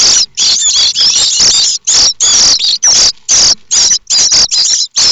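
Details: Nestling common starlings in a nest at Théding, France, on 7 May 2024, begging intensely for food: loud overlapping shrill rasping bursts from several chicks, almost unbroken.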